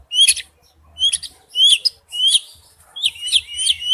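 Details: Male oriental magpie-robin calling to a female: clear upward-sweeping whistles repeated about every half second, ending in a quicker cluster of rising notes.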